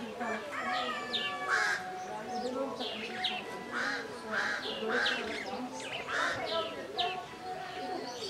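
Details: A female Hemprich's hornbill at Lake Langano, Ethiopia, in January gives harsh, nasal, crow-like notes about every second in an uneven series, with overlapping calls and soft background chatter.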